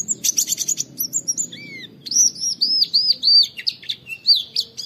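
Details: Oriental white-eye in a training recording of 'wit wit' calls, used to lure other white-eyes into singing. A fast series of very high ticking notes gives way to repeated arched whistles and clear, thin slurred notes.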